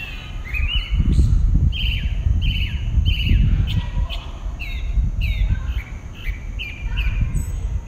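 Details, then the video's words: Dawn song of one pale-breasted thrush recorded in southeastern Brazil, a run of short clear whistled phrases repeated about every half second over strong low-pitched background noise. "a dawn song from a pale-breasted thrush (Turdus leucomelas)"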